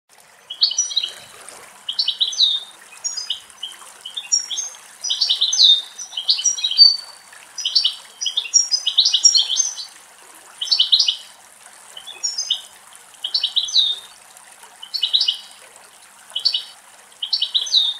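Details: European goldfinches, two adults with two juveniles, drinking water in a forest in Greece, singing bright, tinkling twitters in quick bursts about every second.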